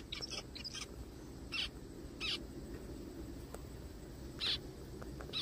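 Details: Forest recording of zebra finches: a few quick nasal notes early on, then single buzzy calls spaced about a second apart, set against a steady low hum.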